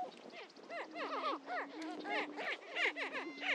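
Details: Greater prairie-chickens at the Dunn Ranch Prairie lek, Hatfield, Missouri: rapid overlapping cackles, each a quick arched note, tumble about ninety times a minute above a faint low hum.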